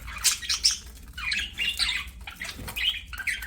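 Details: Playing budgies chatter and sing in a busy stream of sharp chirps, scratchy squawks and short looping whistles, broken by brief pauses, with a soft low hum beneath.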